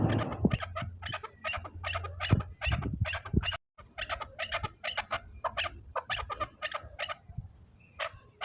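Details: Chukar partridge giving a rapid series of harsh, broadband chuk notes, several per second with a short gap midway, over a steady low rumble of background hum.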